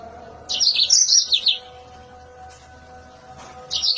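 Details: Mozambique canary singing sharp and piercing: a one-second run of high tumbling chirps, a quiet stretch with low hum, then a new phrase begins.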